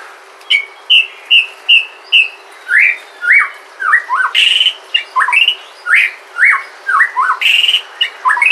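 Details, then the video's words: White-rumped shama from Sumatra singing, its song used as a lure to prompt other shamas to sing: rich series of clear whistled phrases, some steady and some sharply falling or rising, delivered in quick succession with short pauses. "Pancingan suara murai batu asli sumatra"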